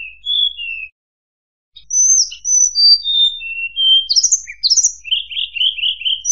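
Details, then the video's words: Murai buluh singing a varied run of clear, high whistled notes, some sliding and some rapid and trilled, with a brief pause early on; nothing else heard. "Suara Burung Murai Buluh"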